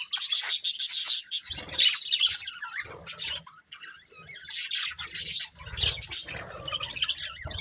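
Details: Budgies kept as pets give a steady stream of high, rasping chirps and warbled chatter across several seconds, sounding like more than one bird, with faint low rumbling thuds in the background.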